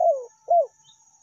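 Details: Tekukur, or spotted dove, lure call of the meratus and melambung types: a slurred coo that falls in pitch, then a shorter arched coo. No other sounds.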